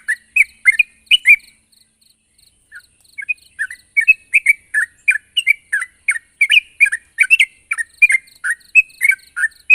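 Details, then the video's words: A sooty-headed bulbul calling out to a rival, chattering hard: bursts of bright, bubbly chirps, a short near-silent pause with faint single notes, then a long fast run of quavering notes. "suara burung trucuk gacor memanggil lawan"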